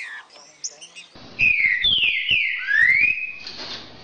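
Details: Green-winged saltator song, played to warm up a kept bird and stir it to sing: loud, clear whistled phrase of slurred notes sliding down then sweeping up, after soft chirps in the first second.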